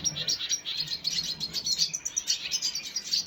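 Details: Red siskin recorded 5 June 2022, giving pulsing high chirps in quick rhythmic bursts, several per second, with a faint low hum beneath.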